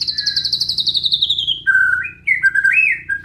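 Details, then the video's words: Tembakan and isian song of a white-rumped shama: a rapid trill of repeated notes gliding slowly downward, then clear whistled notes jumping between pitches. "Dahsyaaatt Tembakan & Isian Murai Batu // AmAzing Bird chirping like no tommorow"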